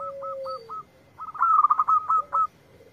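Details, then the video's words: Zebra dove of a local strain replying at once to a lure recording: a short run of clipped coo notes, then a quick, bright rolling phrase, with a lower long coo underneath at the start and end. "Perkutut Lokal Gacor yang ND4blek langsung nyaut"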